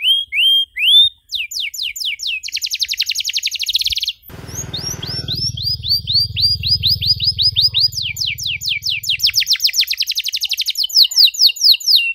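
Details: Canary song to teach young canaries: short upswept notes, dense buzzy trills, then long runs of descending whistled notes, partly over a steady low hum.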